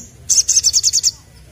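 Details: Sunbird, known locally as sogok ontong, in lively 'ngleper ngalas' song: one fast, very high-pitched trill of seven evenly spaced buzzy notes lasting under a second, against faint low hum.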